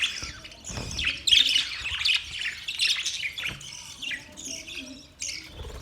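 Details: Several budgerigars chirping and warbling together, loud busy high chatter with squawky bursts early, then scattered rising chirps.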